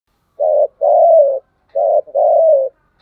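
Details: Spotted dove cooing: a short low coo followed by a longer, slightly falling coo, the pair given twice about 1.4 seconds apart, clean and close with no other sounds.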